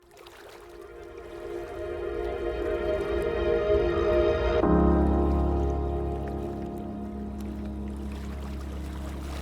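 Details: Swelling instrumental music over a steady low engine-like rumble, with a sudden change in the music near the middle and no animal voices.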